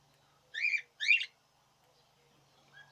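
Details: Budgerigar in the 2017 breeding season: two short, harsh squawky chirps about half a second apart, then near quiet with a faint low hum.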